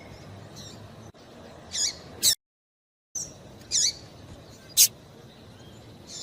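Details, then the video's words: Female papa-capim seedeater calling to excite males: short, sharp high chirps spaced about a second or more apart, some with a quick downward twist. A brief silent gap sits mid-recording over faint background hiss. "Piado de Fêmea de Papa capim"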